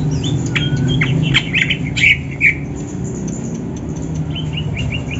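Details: Greater green leafbirds of Banyuwangi and Sumatran origin, morning contest preparation, calling out for a rival: a burst of mixed sharp chirps and rich whistles, then a quicker string of short repeated whistled notes, with a constant low rumble beneath.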